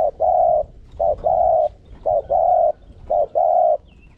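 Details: Spotted dove kept as a decoy bird, giving the 'gù' bowing coo meant to push other doves into cooing: four low phrases, each a short clipped note followed by a long steady hollow coo, about one per second.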